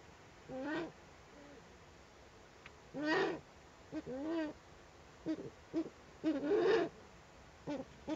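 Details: Eurasian eagle-owl at the nest with owlets, filmed by webcam on 21 April 2020; scattered short, wavering, harmonic calls, some rising and falling in pitch, given in irregular bursts separated by quiet pauses.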